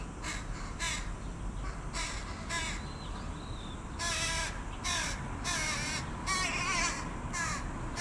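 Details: Young carrion crows, full-grown but still dependent, beg a parent for food: harsh, broad, raspy caws repeated roughly every half second to second in bursts. Low background rumble throughout.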